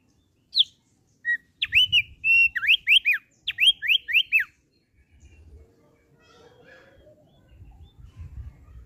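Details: Kept thick-billed heleia in a sweet song: a high thin note, then a burst of clear whistled notes, several sharply down-slurred and repeated in quick succession, followed by quiet with faint low rumbling.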